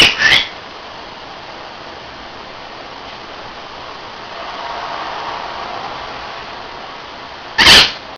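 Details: A pet female Hahn's macaw (red-shouldered macaw) sitting on a windowsill gives two short, harsh, grating squawks, one at the start and one near the end, with quiet room hiss in between.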